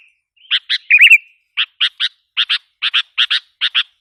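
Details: Sooty-headed bulbul lure call used to provoke wild bulbuls: a string of short, sharp chirps, with one warbled, wavering phrase near the start, then paired notes repeating roughly every half second.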